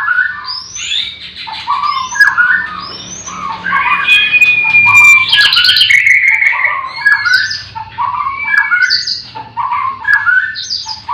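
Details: Many white-rumped shamas singing at once in breeding cages in the morning: continuous, busy chirping and whistled notes overlapping, with a few thin, sustained high whistles.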